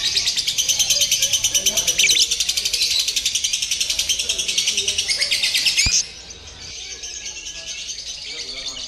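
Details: Lovebird in training for a singing competition via a contest simulation: about six seconds of fast, shrill, buzzy chatter end abruptly with a knock, leaving quieter faint chirping.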